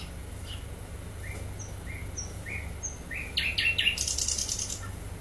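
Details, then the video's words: Flycatcher known locally as sikatan londo singing energetically: short rising whistles spaced about half a second apart, building into a dense burst of high twittering and trills, with low hum underneath. "sikatan londo gacor"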